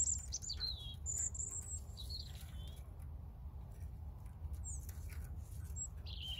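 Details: European robin song of varied, high, thin notes, some sliding down, others sharp and squeaky, delivered in short irregular bursts against a continuous low background hum.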